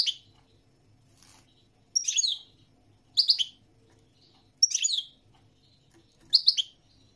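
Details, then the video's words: European goldfinch giving short, bright chirping bursts, each a cluster of high twittered notes, spaced roughly one to one and a half seconds apart with quiet gaps between. "تغريد الحسون الملكي 🐦 chant de chardonneret goldfinch song"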